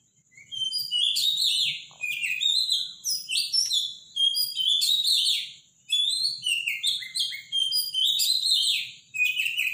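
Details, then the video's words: Robin singing loudly and powerfully in the morning: rapid, varied high phrases of tumbling whistles, trills and thin notes, repeated in bursts separated by short pauses, over a faint steady high tone and low hum. "Robin song in the morning"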